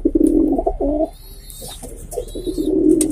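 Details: Pigeons in Jamner, Jalgaon, Maharashtra, India; deep rolling coos in close bursts, pausing briefly midway then resuming, with faint higher squeaks in the background.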